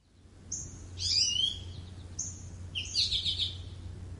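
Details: American goldfinch giving two short phrases, each a high slurred whistle followed by a buzzy, crackling chatter, about two seconds apart, over a steady low hum.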